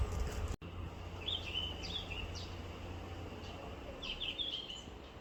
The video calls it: 흰눈썹황금새 Yellow-rumped flycatcher birdcall